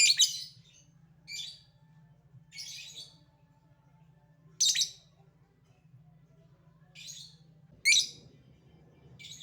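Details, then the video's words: Lovebird ngetik and ngekek calling: brief sharp raspy chirps repeated every second or so, a few louder, over a steady low hum. "Burung Lovebird Memanggil Di sertai Ngekek, Di Awali ngetik lanjut ngekek"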